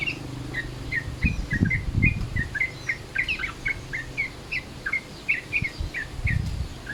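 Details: Yellow-vented Bulbul calls in a midday style used to lure birds: a lively run of short chirped notes, some rising and some falling, repeated several times a second, with low rumbling background noise throughout.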